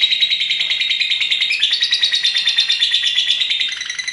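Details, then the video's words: Loud continuous trill from a female lovebird, rapid buzzy pulses at high pitch with a small upward shift midway, held without pause. "LOVE BIRD BETINA KONSLET NGEKEK PANJANG, SATU KALI NARIK 2 MENIT"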